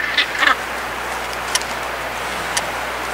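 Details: Northern Gannets breeding in early July on Bonaventure Island, Canada, the largest colony in the Americas: two harsh, grating calls close together at the start, over a steady rushing colony din, with a couple of sharp clicks later.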